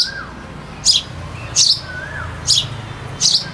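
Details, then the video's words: Repeated bright sparrow chirps, four quick bursts in under four seconds, while a cuckoo sings in the background with gentle descending whistles and low rumble below. "sparrow bird sound (with cuckoo singing in the back)"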